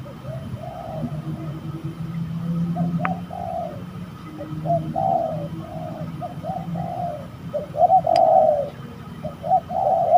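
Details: Spotted doves heard during a fight at a trapping site, giving a rapid series of low, hollow coos in short bursts, some overlapping, with a faint rumbling background throughout.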